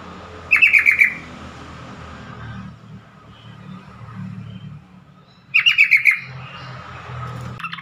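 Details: ['Yellow-vented bulbul giving two short bursts of quick, chattering notes about five seconds apart. Low rumbling background noise runs throughout.']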